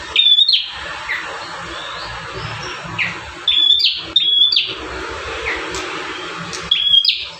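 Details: Bar-winged prinia singing, one of five song variations used as a master for training caged birds: sparse, sharp, high chirps in small groups separated by pauses, over constant hiss and low background noise.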